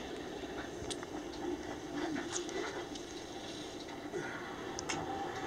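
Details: Steady rumbling room or vehicle noise with a few faint clicks and murmurs, and no clear animal voice.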